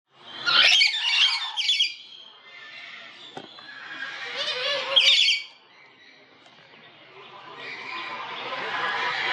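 Olive-headed Lorikeets give harsh, high screeching squawks in two bursts a few seconds apart, with a soft rustling hiss between and after.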